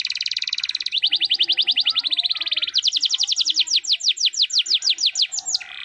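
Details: Canary with 'gacor cengkok mewah' song: a continuous rapid trill that slows into a chain of sharp falling whistled sweeps, very regular and energetic, with a faint buzz at the end.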